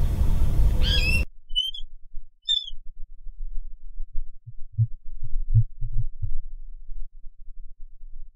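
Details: A water rail gives a few brief sharp squeaky notes on 24 December 2021; loud low rumble cuts out, leaving near silence with soft low thumps.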